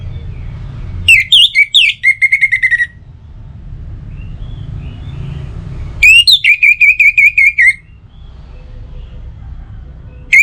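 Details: Orange-headed thrush song used as a morning and evening lure for birds: two loud runs of rapidly repeated whistled notes, each lasting about two seconds, separated by a pause with a low hum.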